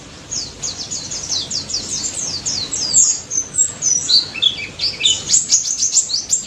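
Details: Daput white-eye in vigorous 'ngalas' singing, meant to coax silent white-eyes into replying: dense, unbroken high-pitched twittering of quick chirps and downslurred notes that grows louder and busier toward the end.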